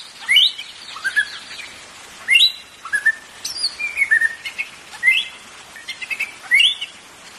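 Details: Song of the white-rumped shama for stimulating caged birds: loud upslurred whistles alternating with softer sliding notes and brief twittering runs, phrases coming every second or so over a light hiss.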